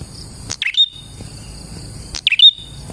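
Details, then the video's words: Two sharp chirps of a prinia, used as a lure for prinias, each a quick downward sweep finishing in a short whistle, with a steady high tone throughout. "KICAU BURUNG PRENJAK GACOR ini Manjur untuk PIKAT PRENJAK dan PANCINGAN PRENJAK KLAWU"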